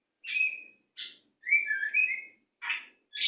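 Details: Murai, the white-rumped shama, in fast, tight training song for captive birds: loud whistled and slurred phrases alternating with short buzzy bursts, separated by brief gaps, with no other sounds.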